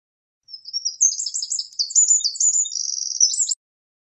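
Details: Eurasian wren delivers one loud, high strophe of about three seconds, a fast jumble of piercing notes ending in a dry, even trill.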